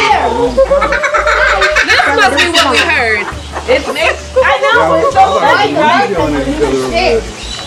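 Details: Laughing kookaburras at a zoo in Cottageville, South Carolina, on 21 July 2021, in a loud, rollicking chorus of rapid hooting chuckles that rise and tumble over each other, several birds overlapping throughout.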